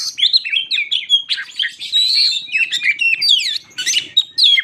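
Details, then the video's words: White-crowned shama singing in a varied run of clear whistles, slurred sweeps and sharp chips, phrases shifting quickly in pitch and tone, played to provoke other shamas into singing. "Burung Kacer jambul lagi teler pancingan Kacer bikin emosi burung bahan"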